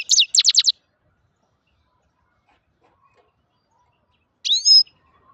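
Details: Grey-crowned goldfinch, also called Altai goldfinch, singing. A quick run of five sharp, high twittering notes, then a long pause and a single bright, slurred whistled phrase, in quiet surroundings.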